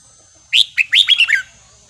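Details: Red-whiskered bulbul, counting-flower (sai nap dok) line, in wild-style song: a lively run of about six quick whistled notes, first high and rising, the rest slurred and descending step by step, lasting under a second.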